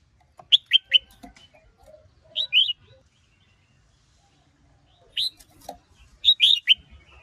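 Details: Red-whiskered bulbul male stirred up by a female, singing in the ché style: clipped whistled notes in quick groups of two or three, separated by pauses of one to two seconds, with faint low rustling underneath.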